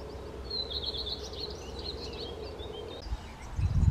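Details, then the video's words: Common redstart delivering a high, rapid phrase of repeated notes dissolving into varied twitters, over a low steady hum and a muffled thump at the end. "Rehek zahradní zpěv, Common Redstart, Gartenrotschwanz"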